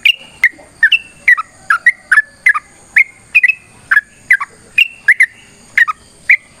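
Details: Yellow-vented bulbul in a fighting-style song meant to draw answers from other birds. Brief bright chirps, some dropping in pitch, come in loose pairs roughly every half second, with a faint high hum behind them.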